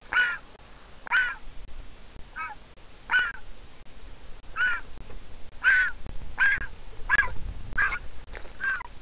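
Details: Nestling griffon vulture at an Israeli nest, hatched 22 April 2021, begging for food as its mother comes to feed it. Rasping squeals repeat irregularly, bunching faster toward the end, over low rumbling background.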